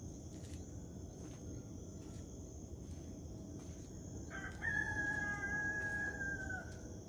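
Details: Rooster crowing at sunrise in the morning: one long crow of about two seconds that starts abruptly, holds steady, then sags slightly at the end. A constant high cricket chirring runs underneath, with faint distant bird chirps.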